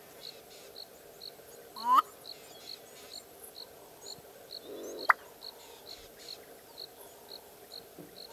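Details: A territorial male black-bellied bustard (Lissotis melanogaster) calls in Hluhluwe-Imfolozi Park, South Africa: a short, sharply rising squeaky croak, then a low burst ending in an abrupt pop. An insect chirps steadily twice a second underneath.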